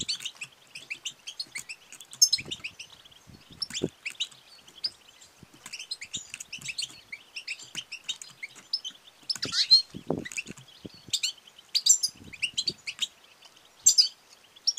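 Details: Female European goldfinch's 'batbata' and 'sestesa' calls, used to drive males to sing and mate; dense, lively high twittering with tinkling chirps and buzzy notes in repeated bursts, plus occasional low knocks.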